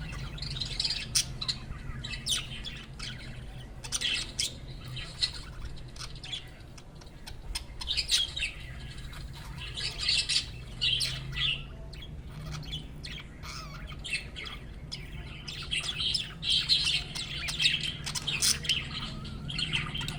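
A group of budgerigars chattering with bright, rapid chirps and warbles over a low background hum.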